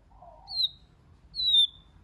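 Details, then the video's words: White-rumped shama giving a soft low warble followed by two thin, high, drawn-out whistles, each falling slightly in pitch, as part of a song in many voices. "Kích Chòe LửA HóT,chòe lửa hót nhiều giọng"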